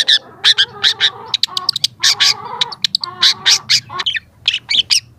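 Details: Young long-tailed shrike in full, vigorous song, recorded for training other shrikes: a rapid run of harsh, broadband chattering notes, bursts clustered irregularly at about one per second, some buzzy and squawk-like, with faint low hum beneath.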